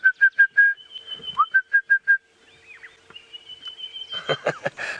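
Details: A secretive Orange-breasted Bushshrike, hidden in thickets, calls on a 5:30 AM sunrise safari drive on 31 October 2016: two runs of four or five mellow, evenly spaced whistled notes, over a steady hum with rustling at the end.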